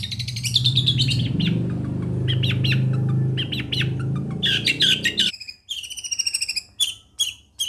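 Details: Long-tailed shrike from Situbondo chattering in varied scratchy phrases over a loud low musical hum. The hum drops away, leaving clear, clipped, high whistled notes repeated in quick groups.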